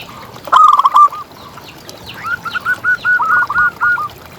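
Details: Zebra dove contest bird recorded as a tutor for other doves: a short rolling coo, a pause, then a longer series of rhythmic, trilled cooing notes around mid pitch, repeated evenly.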